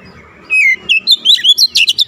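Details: Short burst of Oriental magpie-robin song in vigorous gacor style: one long falling whistle, then quick rising and falling whistled notes that speed into sharp chirps.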